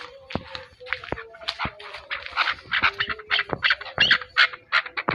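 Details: Chukar partridge from Pakistan calling with quick, scratchy chuck notes that grow louder toward the middle, nearly three per second, over a steady faint tonal hum.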